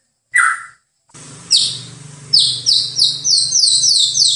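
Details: Master-recording song of a white-rumped shama, used for training birds: one short whistle, a pause, then a run of high, bright, downward-sweeping notes repeated rapidly over a faint low hum.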